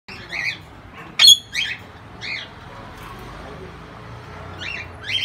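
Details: Indian ringneck parakeet kept in an aviary in Quezon City: short, harsh, high squawks given singly at irregular intervals over a steady low background hum.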